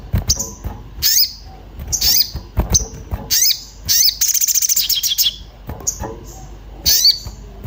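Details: Agitated orange-bellied flowerpecker seeking a companion, used to lure birds into song: high thin chips repeated about once a second, a rattling buzzy trill near four to five seconds, then more chips.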